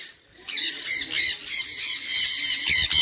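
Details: A Sun conure screams continuously, a dense string of loud, shrill, scratchy notes repeated several times a second after a brief quiet start.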